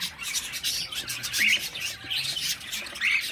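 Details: Baby cockatiel chick uttering repeated scratchy, hissing calls with short squeaky upward notes at intervals, loud and continuous, about one burst every second or two.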